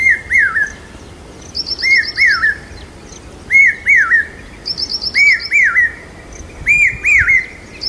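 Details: Common hawk-cuckoo calling loudly during the monsoon in Aurangabad, India, said to signal rain: shrill, rising-and-falling whistled notes in short groups about every second and a half, with another bird's rapid high trill between.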